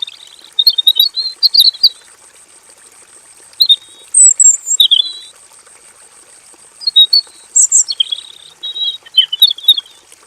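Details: Male robin in a simple aviary cage delivering long, full song with varied filler phrases. Fast twittering warbles alternate with quieter gaps in repeated bursts over ten seconds. A soft, steady high-pitched whine persists.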